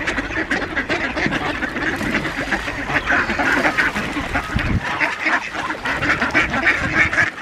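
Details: Many ducks gathered for feeding on Diss Mere, 17 December 2022, two geese present; overlapping raspy quacks and short nasal calls run without pause, rising in bursts near the end amid flock noise.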